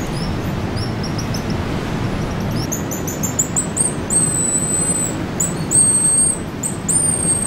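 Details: Wild pigeon guillemot nesting pair at Sea Lion Caves, Oregon: very high, thin whistled notes, some short and some drawn out into sibilant trills, repeated through the clip over a steady low roar of surf.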